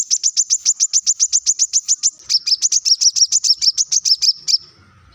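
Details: Plain-throated sunbird (kolibri kelapa) in full song, recorded as a lure to make other birds sing. A fast run of about twenty sharp, high chips is followed without a break by a slightly lower, rolling series of similar notes.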